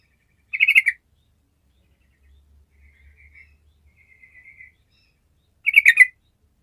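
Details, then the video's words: Gacor singing of a sooty-headed bulbul, meant to stir idle bulbuls into song: two short, bubbly bursts of rapid warbled notes about five seconds apart, with faint soft twitters between them. "TRUCUKAN MALAS LANGSUNG MERESPON DENGAN SUARA TRUCUKAN GACOR INI"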